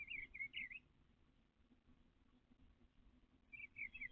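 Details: Backyard eastern bluebird, a male building a nest with pine straw in nesting season, 29 April 2025: two brief bursts of quick warbled whistled notes, one at the start and one at the end, with quiet hum between.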